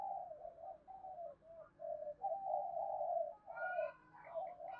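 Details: Spotted dove cooing, a recording used to stimulate and train decoy birds: a long run of low, hollow, overlapping coos that blur together with little pause, with fainter higher notes joining near the end.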